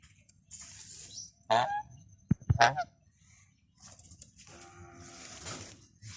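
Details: Goose honking twice in quick succession, brassy and nasal. Sharp clicks or knocks fall between the two honks, and soft high-pitched hissing noise and a few fainter calls follow.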